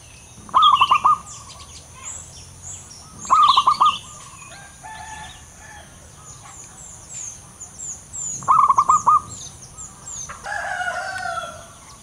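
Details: Local male zebra dove in full voice, loud and active: three bursts of rapid, clipped cooing notes, each burst of five or six pulses lasting about half a second, spaced several seconds apart, with soft high chirping from other birds in between.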